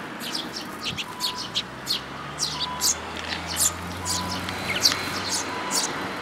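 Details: Tree sparrows and chicks on 13 May 2018 give a busy series of quick, high-pitched chirps and tweets, many overlapping, above a low droning hum.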